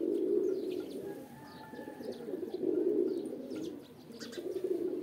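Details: Pigeon (kabutar) mating call: three rolling, guttural low coo bouts spaced about two seconds apart, each swelling and fading, with scattered thin chirps of small birds in the background.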